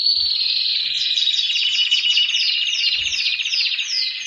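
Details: Canary male in mating readiness delivering a loud, continuous rolling trill, with a series of short descending high notes repeated regularly above the main roll.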